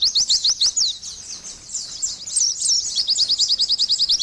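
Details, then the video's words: Oriental white-eye, known locally as pleci, in energetic gacor singing: rapid high twittering of sharp downslurred chirps at about three per second, with a brief softer jumble midway, then fast even ticking notes. "TERAPI BURUNG PLECI"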